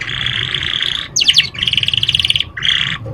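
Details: Young canary song played as a lure to make juvenile canaries start singing: bright buzzy rolls held about a second, a quick burst of descending sweeps, then a long pulsing trill and a short final roll, over low steady hum.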